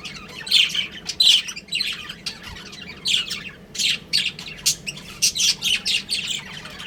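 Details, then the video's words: Breeding pair of pet budgerigars chirping: bursts of high, scratchy warbling chatter and squawky notes in irregular clusters with short pauses, fairly quiet room background. "Adorable Budgies Chirping Sounds"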